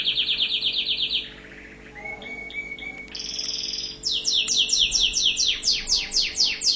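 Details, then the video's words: Orange canary of Tunisian song style, sung as a teaching recording: a buzzy trill, a soft dip, level whistled notes, then bright repeated rising chirps delivered quickly, about two per second. "Chant canari tunisien 2017 تغريد كناري رائع للتعليم"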